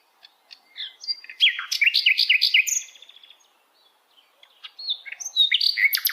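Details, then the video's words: Sikatan londo flycatcher singing in wild forest: a rapid, varied burst of high, sharp chirps and slurred notes, a short pause, then another quick run of bright, squeaky phrases. "kicauan Sikatan Londo Dialam Hutan Liar"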